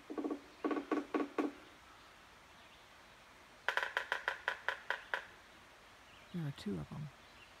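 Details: Two woodpeckers drumming in a duet, one having moved to a different tree: a short series of hollow knocks, then after a pause a second faster, sharper series of taps, and finally a brief low rattling roll.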